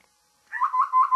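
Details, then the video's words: Babbler's morning call, three or four rough nasal notes strung together at an even pitch, ending in an abrupt click, with a faint tick before it. "Babbler's morning call"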